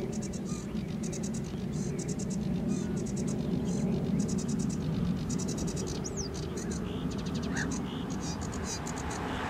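Sedge warbler song: bursts of rapid, high, scratchy chattering trills broken by short pauses, with a strong low rumble of wind or distant traffic underneath.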